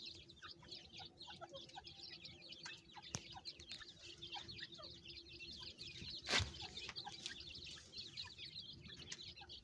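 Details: Farm-kept francolin chicks answering a calling mother: steady, overlapping high peeps throughout, occasional lower notes, one sharp loud click midway, and a low continuous hum.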